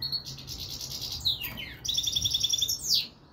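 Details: European goldfinch of subspecies frigoris singing a fast, high twittering song of rapid liquid trills and buzzy notes, with a sweeping downward slur midway; little else heard.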